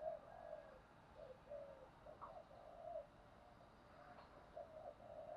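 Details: Fighting coos of a spotted dove, a call used to train and provoke decoy birds; soft, low coo phrases come in repeated bursts about every second against a quiet rural hiss, with a few faint higher clicks.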